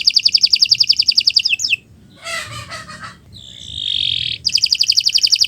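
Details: Canary song for training: a rapid buzzing trill, then a break with scratchy chattering notes and a harsh held tone, before the fast trill resumes.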